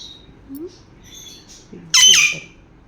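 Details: Playful pet sun conures: one gives a loud, harsh, rasping half-second squawk after a few faint squeaky chirps, while the owner talks quietly nearby.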